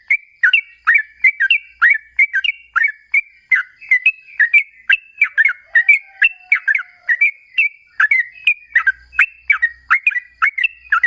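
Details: Sooty-headed bulbul singing lively lure song to make other bulbuls reply: brisk, repeated bubbly whistled phrases of two to three notes, following each other about every half second without pause.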